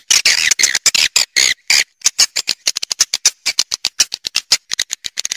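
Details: Roosting call of swiftlets, Triple Queen style: loud, rasping high chirps in quick irregular bursts, some longer buzzy notes early, then faster clipped twitters toward the end.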